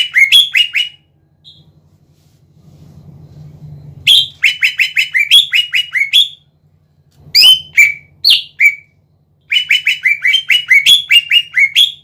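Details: Energetic song of a greater green leafbird used to excite other leafbirds: repeated bursts of rapid chattering slurred notes separated by pauses, plus several louder varied whistles, over a faint steady hum.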